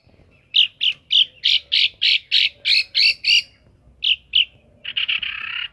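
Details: Caged long-tailed shrike in full, varied song: a fast series of about ten harsh, buzzy notes around mid-high pitch, a pause, two more notes, then a grating chatter; quiet low hum behind.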